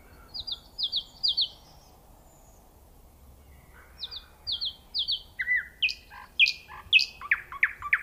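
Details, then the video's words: Nightingale singing in the open: three repeated double notes, a pause, three more, then a burst of fast swooping and zigzag notes that grows louder. "صوت العندليب وجمال الطبيعة🤩Nightingale Sound and Nature Beauty Psychological Comfort"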